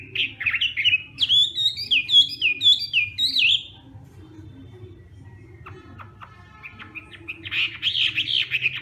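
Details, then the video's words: Hwamei in morning fighting song during voice training: a run of loud, rich slurred whistles rising and falling in quick succession, a near-silent gap, then a softer burst of rapid notes and renewed whistling, over a low steady hum. "Hoạ Mi Hót Đấu /hoạ mi hót sáng luyện giọng kich bổi sổ giọng chim hót hay mỗi ngày"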